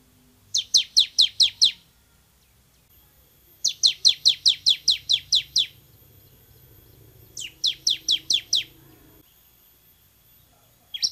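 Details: Bar-winged prinia tutor recording, loud and clear: three rattling series of quick high chips, the longest about a dozen notes, separated by short pauses, with a faint low murmur underneath.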